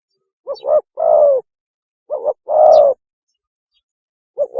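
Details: Mating call of a spotted dove, played as a lure: soft short double coo followed by a long husky falling coo, phrase repeated twice with a third starting at the end; otherwise silent.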